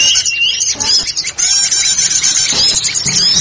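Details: Lure sound of small forest birds: busy, overlapping high-pitched chirps and thin whistled trills that never stop. A few squeaky notes stand out, with a soft low rumble in the background.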